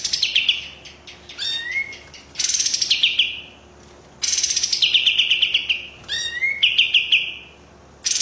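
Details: White-rumped shama singing in loud repeated phrases, each a harsh rattling burst sliding into a buzzy trill, with clear rising whistles between phrases.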